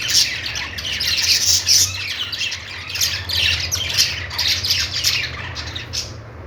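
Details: Budgies, the Australian parrot, chirping happily: lively nonstop twittering of quick high chirps, squeaks and squawks that thins out near the end, with a low steady hum underneath.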